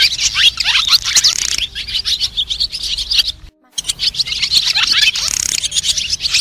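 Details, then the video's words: White-bellied swallows calling to the flock, a sound used as a trapping lure: rapid high chirps and short downslurred twitters, densely overlapping, with a brief silent break midway before the chatter resumes. "Tiếng ÉN ĐEN Bụng trắng gọi bầy"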